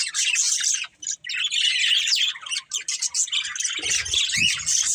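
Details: Continuous bright warbling and chirping from a group of pet budgerigars, quick notes tumbling over one another, with brief soft knocks near the end.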